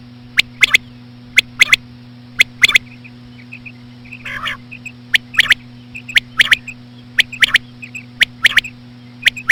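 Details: Slow female common quail calling, used to lure quail: crisp three-note phrases repeated roughly every second over ten seconds, faint soft pips in the gaps, one short buzzy harmonic call midway, constant low hum behind.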